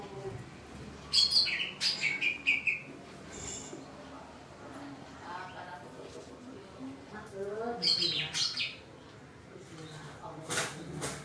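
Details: Greater green leafbird scolding after the sky suddenly turned cloudy, giving bursts of sharp, high whistled chirps and short trills near the start, again around eight seconds and near the end, with soft voices murmuring underneath.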